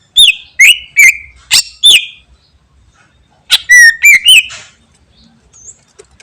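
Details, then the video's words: Energetic greater green leafbird (cucak ijo) song: two bursts of rapid, clear whistled notes and sharp chirps with slurred endings, separated by a short pause, in a quiet setting. "Cucak Ijo Gacor Full Materi Bikin Burung Lain Langsung Nyaut"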